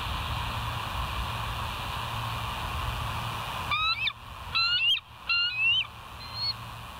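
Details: Bald eagle at the West End nest on a live nature cam, recorded 21 July 2023 at 05:05; a few high, thin piping chirps in short bursts come after several seconds of steady background hum.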